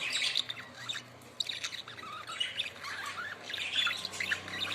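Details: A group of budgerigars producing warbling chirps and twittering phrases, some notes sliding up and down, in an overlapping, busy flock chorus.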